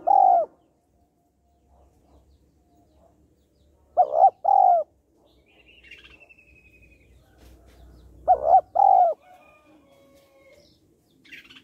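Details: Female spotted dove calling to stimulate males: a low coo at the start, then two paired hollow coos about four seconds apart, with faint rustling and a distant whistle between them.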